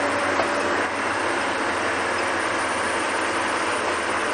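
Steady, loud rumble and clatter of a passing train fills the whole recording, with no animal calls.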